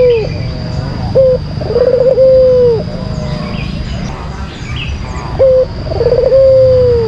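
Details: Lure song of a white collared dove: clipped flat coo followed by a bubbling trill that stretches into a long drawn, slightly sinking note, heard twice with faint noise behind.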